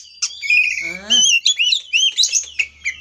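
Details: Oriental magpie-robin, kacer, singing as a lure to excite another kacer: sustained whistles with a low rolling trill beneath, followed by rapid looping whistled phrases and sharp chirps.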